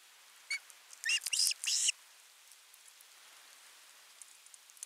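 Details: Osprey chick at nest 3, 10 August 2021, calling at length for fish before an adult delivers a whole fish; one short high whistled note, then a quick cluster of sharp, high piping calls mixed with a noisy rustle, then near silence.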